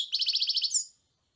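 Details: European goldfinch giving a brief, fast, buzzy trill of about nine even notes, ending in a thin rising whistle, all within about a second.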